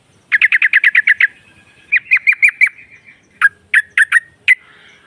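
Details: Female trucukan (sooty-headed bulbul) used to provoke rivals: a fast run of nine even chattering notes, then a few slurred chirps and widely spaced, sharp single calls.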